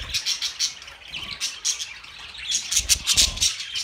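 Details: Budgies calling together with bright, rapid chirps and scratchy squawks in quick bursts, mixed with low thumps like wingbeats or movement.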